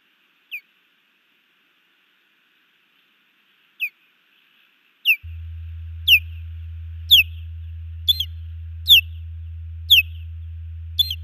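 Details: Osprey female calling at a nest in Hellgate Canyon, Missoula, Montana, while her mate defends against an intruding osprey flying over, June 2019; sharp descending whistled chirps, about one per second, with a steady low hum from partway on.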